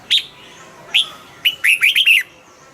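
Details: Caged red-whiskered bulbul giving two single sharp chirps, followed by a rapid, cheerful run of four or five warbled whistles that rise and fall. The background is clean.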